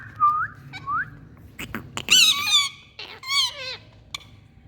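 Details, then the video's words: Indian ringneck parrot sounds: two quick rising whistles, then loud, harsh, wavering screeches rich in overtones, broken by sharp clicks, with a faint low hum underneath. "Indian Parrots🍃Beautiful Sounds"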